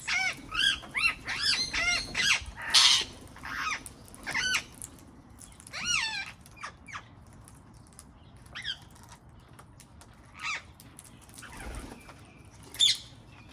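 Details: Wild garden parrots call in a dense burst of shrill, arched squawks for the first six seconds, then only occasional single screeches with a faint rumble between.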